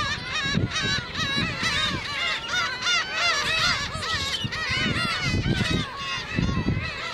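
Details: Black-tailed gulls at Ōkuki, Hachinohe, Japan, on 9 June 2013, a sunny day with fog later, while a man feeds them. Many overlapping mewing, arched cries from a dense flock, with a continuous chorus of calls and low rumbling in the background.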